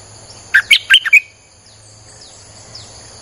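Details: Streak-eared bulbul song for attracting wild birds: one quick burst of five warbled chirps, then a quiet stretch with steady high whining tones and faint distant notes.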